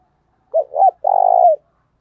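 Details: Close, loud spotted dove coo in the 'thúc' style used to lure wild doves: two swelling short hoots followed by one long, evenly pulsing low note.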